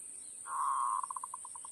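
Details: Zebra dove lure call used for trapping: a long steady low coo that breaks into a run of short evenly spaced pulsed notes, slowing slightly toward the end, over a constant high-pitched electronic whine.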